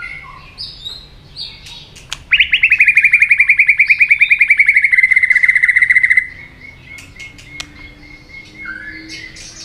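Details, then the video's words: White-rumped shama stimulated into fight-singing: brief varied whistles, then a loud, fast, even rattling trill held for about four seconds and slowly dropping in pitch, ending in a thin sustained note and softer whistles. "kích lửa cho chòe lửa hót"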